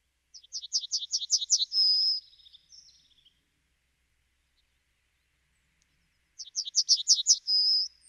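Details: Two complete Yellowhammer song phrases about five seconds apart, each a rapid rattle of repeated high notes ending in a prolonged whistle, with silence between.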